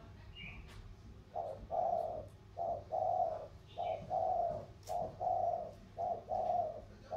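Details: Competing spotted doves of the thổ voice type, one from the Sóc Trăng river plains and one from the Cam Ranh hills, Vietnam. After a brief high chirp, five deep paired coos follow in a regular short-long rhythm.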